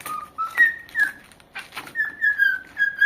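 A corella whistles a clear tune of drawn-out, pure notes that step upward, then level off, with soft breathy clicks between phrases.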